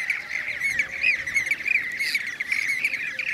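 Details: Overlapping rolling bee-eater calls from Blue-cheeked bee-eaters, Merops persicus, in Şanlıurfa, Turkey, 2016, with some upslurred notes. Sharp, high-pitched chirps from other birds are mixed in.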